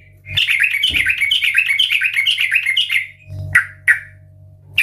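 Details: Sooty-headed bulbul in strong 'gacor ngeplong' voice: a three-second rapid bubbling warble of whistled notes, then a few isolated sharp chirps, over a low electrical hum.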